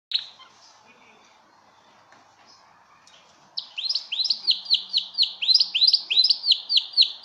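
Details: Belgian canary singing for mating, an opening whistle followed after a pause by a fast rolling series of downslurred whistled notes, about four per second, clear against a quiet background.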